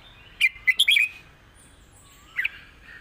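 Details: Red-whiskered bulbul singing a southern-style 'mae bot' phrase with 'rik' notes: a quick cluster of bright warbled whistles around half a second to one second, a lone soft rising note, then a short burst near the end.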